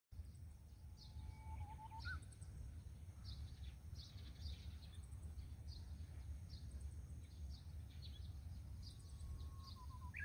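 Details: Young Japanese bush warblers giving their first calls with the mother also calling, on a cool misty morning by the Kadono River in Tamba, Japan; two soft whistled notes ending in short wavering trills, over steady low stream-like rumble and distant high chirps.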